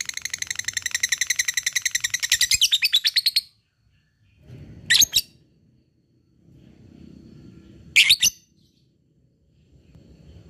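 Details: Lovebird giving a long ngekek chatter: a rapid, even run of sharp buzzy pulses lasting about three and a half seconds, then two short harsh squawks several seconds apart over a low background rumble.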